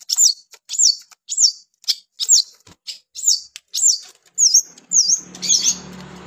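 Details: Long-tailed shrike singing actively: a regular series of about ten high, sharp V-shaped whistled notes, roughly two per second, with a low humming background rising near the end.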